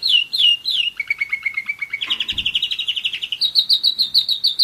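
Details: One-year-old German Roller-split canary in song, moving from a few falling whistles to a low smooth roll, a rising buzzy trill, and a fast high rattle of repeated notes.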